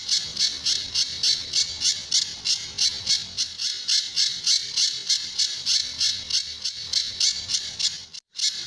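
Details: Sunda bush warbler recorded as a master song for tutoring other birds, in the tembakan and besetan style: sharp, harsh high notes repeated steadily about three times a second, with a brief gap near the end.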